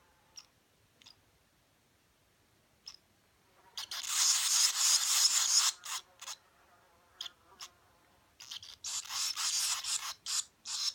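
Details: Swallow nestlings begging while parents feed them: scattered soft ticks give way to loud, hissing, rasping bursts, each lasting up to two seconds, with short clicks and pauses between.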